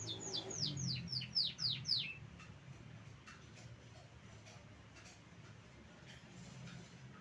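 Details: Canary delivering a quick series of about eight sharp, descending whistled sweeps in two seconds, followed by near silence with faint background hum.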